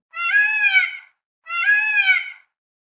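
A peacock gives two loud, nasal, wailing calls about a second each, rising then falling, with clean silence between them.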